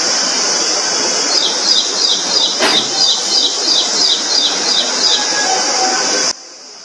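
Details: Indian prinia, described as a small, very loud bird, giving a run of short, sharp, repeated notes about three per second for several seconds, over a steady high-pitched whine and a constant background hiss.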